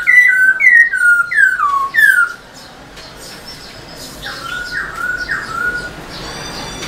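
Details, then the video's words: Energetic song of a caged black-throated laughingthrush, used to stir other captive birds into singing: four bold, falling whistled phrases in quick succession, then a quieter stretch with softer repeated slurred whistles. "Khướu bạc má HÓT MÚA ĐUÔI cực sung kích khướu nhà bạn căng lửa"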